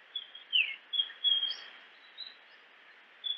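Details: Japanese grosbeak song: a string of short, clear whistles, one with a quick falling slide, spaced irregularly over a steady background hiss.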